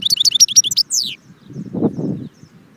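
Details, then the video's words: European goldfinch at Jbel Wahch in Constantine giving a short burst of rapid, high, twittering notes that slide downward at the end, followed by a low muffled rumble. "chardon chant Constantine jbel wahch"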